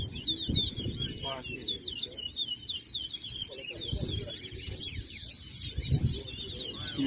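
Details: Towa towa (large-billed seed-finch) competing in a 2023 bird race, Essequibo, Guyana: bright, fast whistled song with rising and falling notes, steady throughout, plus low murmuring people.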